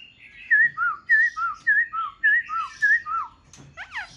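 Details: ['Caged Black-throated laughingthrush for sale, fanning its tail and dancing its wings, sings clear whistled notes that alternate high and low in steady pairs, about eight in a row, then ends with quick descending chirps.']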